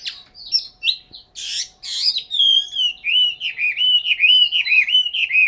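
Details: Chinese hwamei kept caged in Hanoi, Vietnam, giving loud clear whistled song: short scratchy bursts, then a long, wavering, fluty phrase that dips and rises repeatedly, with high thin notes layered above.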